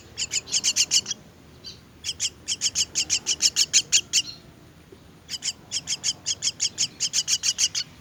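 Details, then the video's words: Begging from myna chicks at feeding time, fast runs of shrill, scratchy chirps in two long bursts separated by a brief lull. "Feeding myna's chicks"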